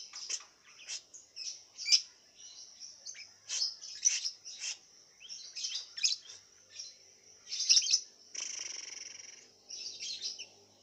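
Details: Caged lovebird entered in an online singing contest from Singkawang, West Kalimantan, Indonesia, kept in a round cage and fed white millet. It gives a long, busy run of high, shrill chirps and twittering bursts with brief pauses, plus a sustained buzzy chatter near the end.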